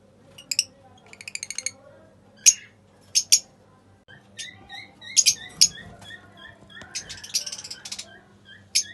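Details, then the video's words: Pale fallow lovebirds, apparently caged indoors, giving sharp high chirps and squawks in short bursts, some as quick stuttering series of clicks, spaced irregularly over a faint low room hum. "Singing and Chirping Sounds of lovebirds"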